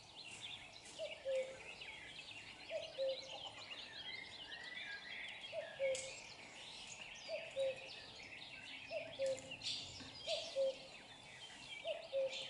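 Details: Common cuckoo filmed close up, calling cu-coo seven times in a steady series roughly every one and a half seconds, each a short higher note then a lower held one, amid a lively chorus of other birds.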